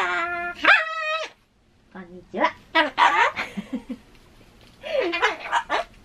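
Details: Pet Ducorps's cockatoo at home, lately fond of answering "hai" and saying "konnichiwa" (hello) in Japanese; a drawn-out, flat, tonal note, then a pause and a run of speech-like syllables and a brief swooping sound.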